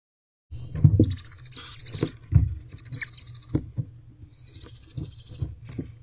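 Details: Barn owl owlets in a nest box on the evening of 29 April 2023, 7:33 pm, trying to crawl under their mother, who is too small to cover them; harsh, noisy hisses come in long bursts over repeated thumps and scrapes of movement.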